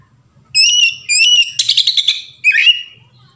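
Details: Song of an Oriental magpie-robin, meant to coax another bird into singing: a pair of clear whistled notes, then a quick rattling series, then a final short twisting whistle.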